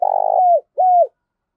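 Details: Decoy spotted dove coo meant to stir wild birds: a long buzzy, slightly pulsing note that slides down, followed by one smooth arched coo.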